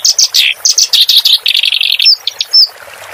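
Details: Clamorous reed warbler song used as a training recording for captive songbirds. The bird gives loud, scratchy, chattering phrases: dropping notes, a quick run of clipped syllables, then a few thin whistled accents.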